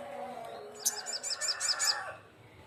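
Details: Crimson sunbird calling rivals, giving a quick series of about six very high, thin chipping notes over roughly a second, with a faint lower hum in the background.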